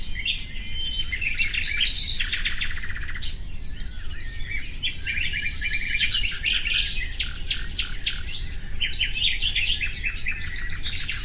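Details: Common nightingale delivering a lively, varied song of chirps, whistled slides and fast trilled series in separate phrases, with a faint steady low tone and background noise.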